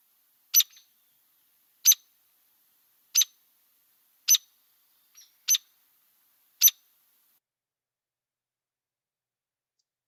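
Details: Hairy Woodpecker call, sharper than the Downy's and described as two-noted, DuPage County: six sharp, high notes spaced roughly every 1.2 seconds, with a fainter extra note between them, then quiet.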